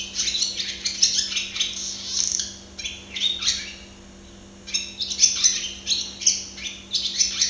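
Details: Barn swallow (Hirundo rustica) watched singing up close: rapid twittering phrases of high chirps and buzzy notes, a pause near the middle, then another bright chattering burst.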